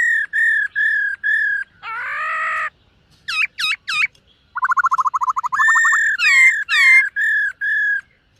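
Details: Morning voice-training song of a black-throated laughingthrush, dancing as it sings: even whistled notes, a harsh buzzy burst, three steep looping sweeps, a fast rattled trill, then loud ringing slurred whistles.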